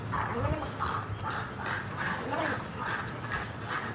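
Snowy Egret giving harsh, nasal croaking notes, about two or three a second, over a steady rushing background noise.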